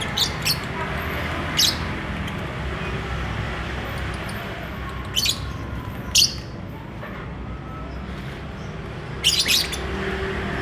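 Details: Lovebird courting and eager to mate, giving brief high squeaky chirps in scattered pairs and singles over a constant low background hum.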